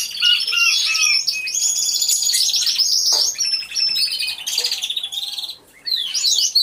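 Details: Many canaries singing together in an aviary: a dense, overlapping chorus of high rolling trills, sharp chirps and whistled slurs, nearly continuous with one brief lull near the end.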